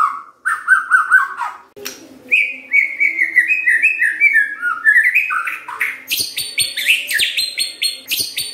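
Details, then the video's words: A white-rumped shama's song, used to prompt other shamas to sing energetically: repeated mid-pitched whistles build into a rolling warble, then a dense run of high, sharp chips and clicks. "SIULAN MURAI BATU INI SANGAT EFEKTIF SEBAGAI PANCINGAN MURAI BIAR GACOR"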